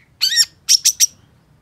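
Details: Long-tailed shrike, actively singing: one harsh, rasping, arched note, then three short buzzy chips in quick succession on a quiet background.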